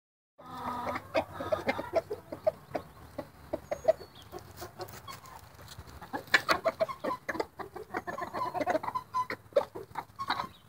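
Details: Roosters described as happy, making a steady stream of low, soft clucks and murmuring notes, several birds overlapping, with clucking growing busier and louder toward the end.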